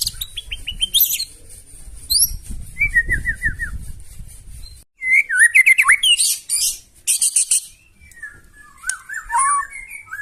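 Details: White-rumped shama singing loudly, a harsh provoking song meant to make other birds answer: varied whistles, rapid downslurred trills and high buzzy notes in bursts separated by short pauses, low rumbling noise under the first half.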